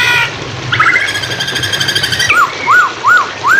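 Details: Hwamei song used as a training recording for songbirds: a rapid buzzy trill of stacked notes, then clear whistled arches repeated about every third of a second. Steady flowing-water background throughout.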